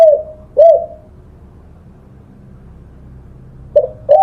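A spotted dove gives soft, hollow coos in pairs, a short note followed by a longer, slightly falling croon, with a pause of about three seconds between pairs.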